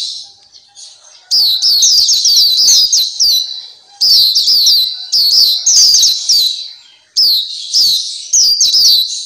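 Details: Black-capped white-eye, recorded for tutoring captive birds: a quiet opening, then energetic high-pitched twittering phrases of slurred whistles, about two seconds each, broken by brief gaps.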